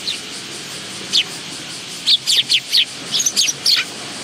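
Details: Willow tits at a bench feeding spot near a Tenmangu shrine, 10 August 2022: one lone high chip, then a lively cluster of sharp, rising-and-falling chips packed close together.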